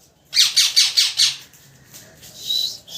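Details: Loud parrot chirping: five harsh, evenly spaced descending chirps in quick succession, followed by a quieter gap and a short wavering whistle near the end.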